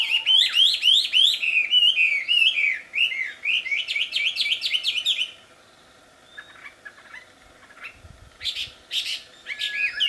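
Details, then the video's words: Loud, melodious wambi song in the wild: about five seconds of rapid, jumpy whistled notes in a steady fast rhythm, then near silence with faint distant notes, and the song resuming briefly at the end. "Suara merdu burung wambi di alam liar ternyata sangat merdu dan keras"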